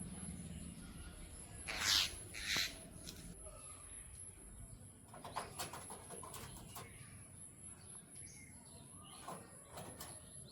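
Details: Jungle myna giving two loud, harsh, broadband squawks close together near the start, followed by softer rasping notes and clicks against a steady background hiss.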